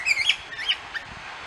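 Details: Lyrebird singing in the wild on the Fitzroy Falls walk, Morton National Park, NSW, on 25 April 2010: a few quick, sliding chirped notes in rapid bursts during the first second, then fading to quiet background.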